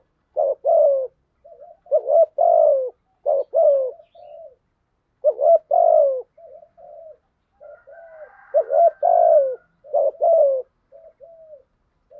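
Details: Spotted dove decoy for trapping wild doves, cooing in 'thúc gù' manner; frequent deep two-part coos alternating with softer short murmured notes, and a faint higher hum near the middle.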